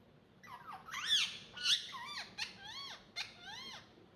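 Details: Talking ringneck kept as a pet indoors, uttering sharp squeaks followed by a string of evenly spaced, bouncing upswept chirps, about two per second, in a quiet small room.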